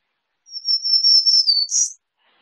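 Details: A black-throated green warbler (Setophaga virens) gives a thin, high, buzzy call held about a second, ending in a brief higher buzz.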